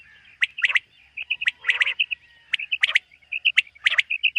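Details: Common quail on a morning summer meadow: bright, piercing chirps in pairs and triplets alternating with gentle repeated piping notes and one rough buzzy burst, over a faint low hum.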